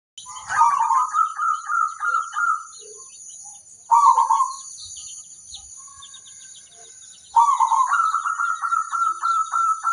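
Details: Local zebra dove singing, a recording used to lure other zebra doves to answer. Three trilled, rapidly pulsed phrases, each one to two seconds long, arrive at about three-second intervals. A steady high insect-like hiss runs throughout.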